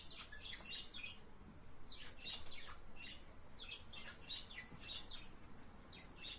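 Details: Pet budgerigar calling to stimulate the female to mate: a quiet, continuous run of short, high chirps and warbled notes, repeated several times a second over a low background hum.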